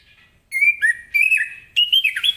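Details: Short morning burst from an orange-headed thrush singing ngeplong style to set other birds singing: three loud, quick phrases of bright whistles with abrupt pitch jumps.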